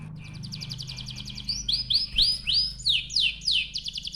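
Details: Canary song as a lure for other canaries: a rapid buzzy trill, then loud rising swept whistles repeated about twice a second over a low background hum.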